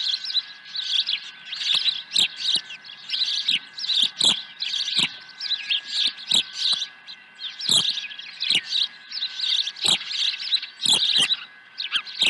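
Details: Osprey calling at its nest on 23 April 2020 when a second fish is delivered; long stretch of insistent, high, repeated chirps in clustered bursts, steady hum beneath.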